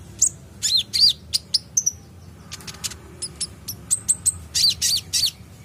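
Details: Olive-backed sunbird, an untrained bird in full active song: quick runs of piercing high tweets and clipped downward notes, a brief lull, then a dense cluster of sharp chirps near the end.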